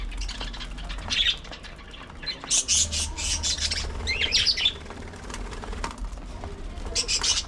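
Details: Budgerigars at early morning feeding, harsh broadband squawks in uneven bursts with short chirps between, over a low background hum.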